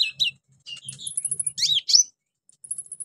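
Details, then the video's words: Lure song of an orange-headed thrush, meant to prompt silent birds to sing, with mimicked fill-ins: short high chirps and twittering, a loud looping whistled phrase, then a thin rapid high trill. "KONIN GACOR NEMBAK ISIAN PANCINGAN KONIN MACET BUNYI"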